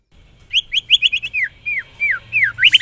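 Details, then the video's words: White-rumped shama lure song (pancingan) meant to spark other shamas into singing: quick clipped chirps, then loud downslurred whistles repeated about every half second, ending in a sharp burst of high notes. "LANGSUNG CEPAT NYAMBER TAK TAHAN DIAM MURAI MENDENGAR PANCINGAN INI"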